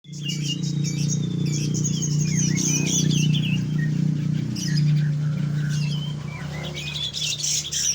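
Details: Caged grey-cheeked bulbul kept as a songbird, its song a fast run of high whistled, twisting notes and warbling phrases, delivered over a strong low hum and a steady background drone.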